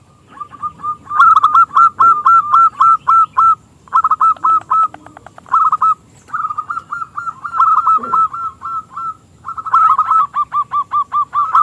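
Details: Local zebra dove with a small, clear voice, singing to get rival doves to sing: long runs of quick, ringing, evenly repeated hooting notes broken by short gaps.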